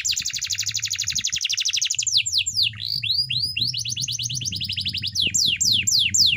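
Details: Canary training song: a fast, even trill of tiny notes, then a run of sweeping downslurred whistles and quick rising chips, all delivered nonstop over a faint low rumble.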